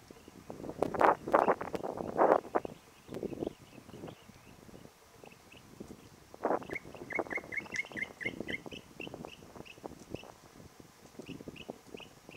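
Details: A family group of Rainbow bee-eaters with the year's new chicks, recorded 10-1-17, giving quick runs of short, high chirping notes, about six in a burst, among louder, harsh, rough sounds early on.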